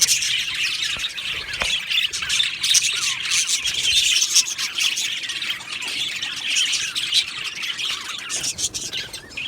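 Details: Budgerigars chattering in a colony aviary: an unbroken din of high squawky chirps and scratchy warbles from many birds, with a couple of low thumps early on.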